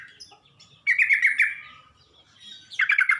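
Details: Sooty-headed bulbul, recorded as a lure to stir up other bulbuls: after faint twittering, a loud half-second burst of scratchy chatter, then another sharp rattling burst at the end.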